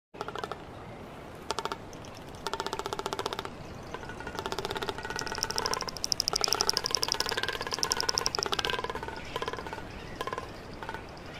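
Greater frigatebird giving bursts of rapid, dry rattling, almost like a machine knocking, with a thin whining tone running through the middle stretch.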